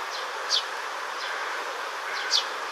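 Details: A young Eurasian tree sparrow in a green park in early July gives two short, high, falling chirps about two seconds apart, with fainter chirps between, over a steady hiss of background noise.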